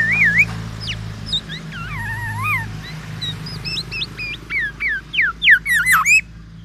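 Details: Black-naped oriole singing a full repertoire of oriental magpie-robin imitations, meant to challenge rival orioles: varied liquid whistles, looping slurs and sharp upward sweeps, ending in a burst of loud rapid notes, with a constant low hum behind.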